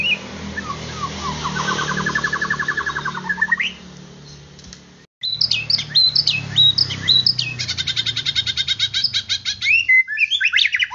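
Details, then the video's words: White-rumped shama song, used to provoke a kept bird into agitation and vigorous singing. Begins with a rising, rolling whistled trill, breaks off briefly, then bursts into fast varied phrases and a long series of rapid repeated staccato notes. "Murai Batu Akan Emosi dan Cepat Gacor"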